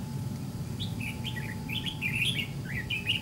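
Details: Red-whiskered bulbul with white cheeks, a wild-caught bird lured by a caged decoy in a fight trap: short warbled, slurred phrases rising and falling, given in quick bursts over a steady low rumble.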